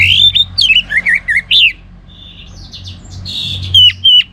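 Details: Orange-headed thrush singing loudly and vigorously: a string of warbled, looping whistles, a short pause of softer buzzy notes, then bright sliding whistles, over a quiet low drone.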